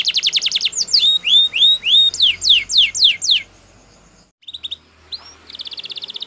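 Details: Belgian canary singing to train other canaries: rapid rolled trill, then evenly spaced whistled upslurs and steep downward sweeps, a pause, and a closing pulsed trill.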